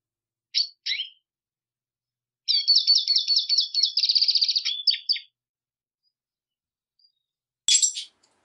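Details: Two short chips, then a fast buzzy rattling trill of about three seconds from a Black siskin, ending in a few slurred notes and one final harsh burst.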